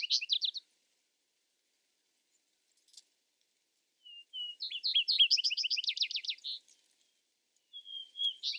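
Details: Vesper sparrow (Pooecetes gramineus), song.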